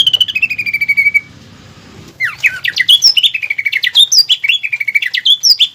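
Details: Caged greater green leafbird singing a lure and training song with pelatuk bawang filler phrases, a melody sought by contest judges: a long, level, buzzy trill, a short pause, then rapid varied whistles sweeping up and down.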